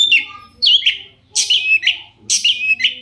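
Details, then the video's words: Long-tailed shrike sound played as a lure to get other shrikes to reply: loud, harsh, buzzy phrases, each a short rasping burst with a falling whistled tail, given in three clusters separated by brief pauses. "cendet gacor pancingan burung cendet agar cendet bunyi INI AMPUH BIKIN burung cendet lain NYAUT"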